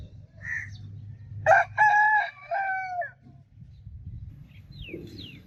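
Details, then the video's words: One loud rooster crow with a stuttering start and a long sustained, slightly falling final note; brief chirps from small birds before and after over a low rumbling background. "Rooster Crowing Sound Effect Continuously"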